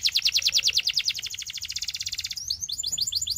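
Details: Belgian canary singing: fast trills of downward-sweeping notes repeated about three times a second, slowing into a tighter buzzy roll, then a burst of quick upward chirps.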